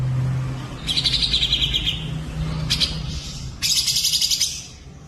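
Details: Bird in a song-training recording of cucak jenggot, cililin and canary: a rapid high rattling trill, a lone sharp click, then a brighter, louder trill of quick pulsed notes, with a low electrical hum beneath.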